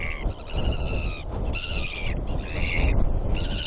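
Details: Northern royal albatross (Diomedea sanfordi) chicks, on 8 October, confront each other with bill clacking near a nest. They give harsh, nasal, braying calls in bursts of about a second each, over a heavy rumble of wind.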